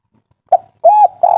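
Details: Spotted dove (tekukur), agitated kuk 3 style call used to make other doves answer; a brief coo followed by two longer, level cooing notes.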